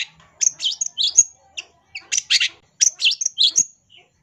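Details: Long-tailed shrike song for training other songbirds, a varied jumble of very high, scratchy chirps and squeaky whistled notes in short bursts separated by brief gaps.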